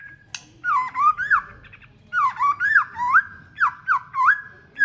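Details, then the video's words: Many-voiced white-rumped shama song meant to excite rival birds: rich, swooping whistles in repeated looping phrases, each with high thin overtones, separated by brief pauses. "Kích chòe lửa cực sung NHIỀU GIỌNG.Nghe nhanh Căng,Kích chòe lửa hót nhiều giọng hay.lửa hót đấu"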